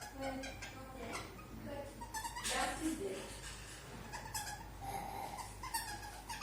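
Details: Pet bird kept indoors, caged near its 8 pm sleep time, making newly learned sounds: short nasal, harmonic, speech-like chirps and squawks in uneven bursts, one louder rasping note midway, quiet room background.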